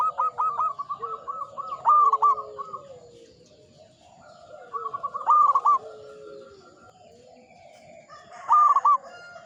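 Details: Mature local zebra dove in full song, giving three rolling phrases of rapid stuttered coos, each ending in a louder accented note, spaced roughly three seconds apart over a faint low background.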